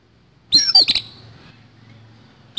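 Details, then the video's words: Fighting-style song of an oriental magpie-robin, harsh-filled: one loud phrase of a high slurred whistle running into clipped rattling notes, a faint hum below, and another phrase starting at the end. "KACER TARUNG ISIAN KASAR"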